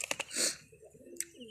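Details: Brief low coo from pigeons of local and foreign bloodlines, after a burst of clicks and a loud rustling noise.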